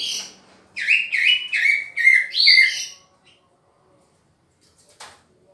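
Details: Green leafbird vocalizing during pairing: a burst of around six harsh, chirpy two-part notes in quick succession over two seconds, then silence broken by a single sharp click.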